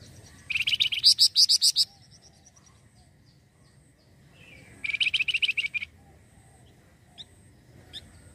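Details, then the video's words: Flamboyan bird lure song: two bursts of rapid shrill chirps, each lasting about a second, several seconds apart, with a few isolated sharp chips afterward. "pancingan flamboyan gacor cocok pancing burung bahan"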